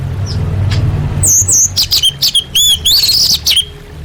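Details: Female orange-headed thrush calling for males, used to prompt non-singing birds: a lively run of high, clear whistled chirps with descending slurs, about ten notes packed into two seconds, over faint low hum.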